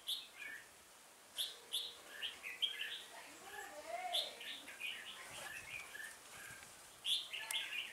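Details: Red-whiskered bulbul of the 'Họng ếch ương' voice style, used as a decoy during bird trapping on 1 October 2018, sings short bright whistled phrases with sharp high notes, repeated in bursts with brief pauses; faint lower warbles between.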